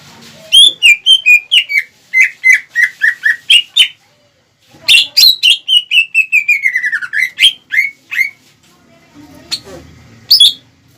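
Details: Greater green leafbird song meant to rouse rival leafbirds: two bursts of rapid, loud whistled notes, the second slurring downward in a long descending series, followed by a few scattered high chips and faint low noise.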